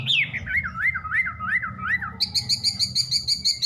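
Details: Wambi singing: a looping series of wavering whistles, each rising then dropping, followed by a quick, evenly repeated high note with a faint low hum underneath.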